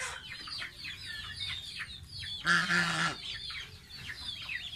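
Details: Pet gosling, a domestic goose, taking a bath: quick high peeps and falling chirps, interrupted by a loud broadband splashing burst with a low hum in the middle before the peeping resumes.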